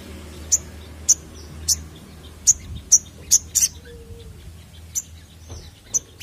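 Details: High, sharp single chirps from a crested jay used as a lure, repeated roughly every half to one second with one quick double note; faint background hum.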